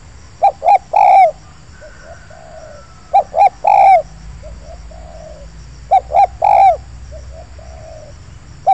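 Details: Spotted doves in an oil palm plantation where a wild dove came in cooing toward a decoy. Loud three-note coo phrases recur about every three seconds, each answered by quieter, softer coos.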